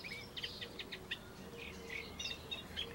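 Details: Eurasian reed warbler heard from a laurel bush: a looser series of scratchy chirps and short whistled notes with small gaps between them, over a faint low steady hum.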